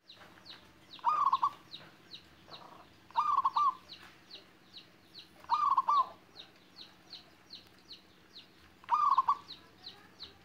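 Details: Young local zebra dove of wild stock, just learning to sing in gayer style with a close, soft, melodious rhythm: short rolling, stuttered coo phrases repeated four times about every two and a half seconds, over steady high chirps from another bird.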